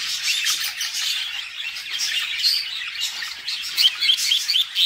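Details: Budgerigar mother feeding her chicks inside a nest box; a steady stream of rapid, scratchy, high chirps and squawks without pause, growing sharper toward the end.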